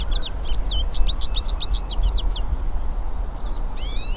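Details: Several hooded siskins singing in nature: rapid high twittering of sharp, slurred chirps for about two and a half seconds, then a pause and a few rising whistled notes at the end, over low steady background rumble.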